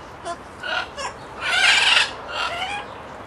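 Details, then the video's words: Talkative pet parrot vocalizing indoors: a few short harsh notes, then a louder, drawn-out raspy gurgling burst in the middle, followed by a quieter trailing call near the end. "Talkative Parrot (Makes murloc sound near end)"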